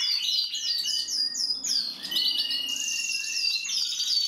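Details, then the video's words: Gloster canary singing: a fast series of bright, descending whistled slurs, then a sustained high trill with a steady lower whistled tone running beneath it. "Kanarienvogel Gloster Fancy"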